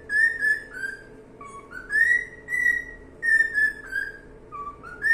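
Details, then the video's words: Singing cockatiel gives bright whistled notes, mostly level with a few low dips and upward slides, grouped into short bursts separated by brief pauses; a soft steady hum sits in the background. "calopsita cantando"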